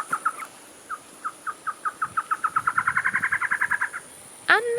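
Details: Black-headed Trogon near La Fortuna, Costa Rica, a male and female calling in response to each other or to territory intruders: a run of short, hollow cow notes that speed up, grow louder and rise slightly, ending with a brief harsh sound.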